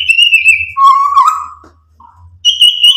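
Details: White-rumped shama song used to stir other birds: a long high steady whistle, then a lower sustained whistled note, a brief pause and another high whistle, with a faint low hum beneath.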